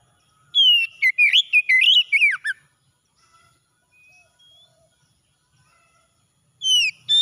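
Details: Oriental magpie-robin morning song with a dense two-second run of varied, quick whistles and chirps, then near-silence with a few faint notes, and a fresh loud whistled phrase starting at the end.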